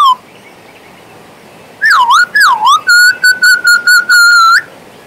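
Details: Pet male Western Australian magpie whistling: two swooping, dipping notes, then a rapid string of about seven level, clear whistles at one steady pitch, ending in a longer held note.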